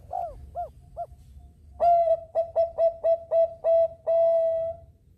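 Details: Bangkok-type zebra dove in full voice, meant to prompt other birds into song: three soft looping coos, then a loud series of short clipped coos ending in one long sustained note.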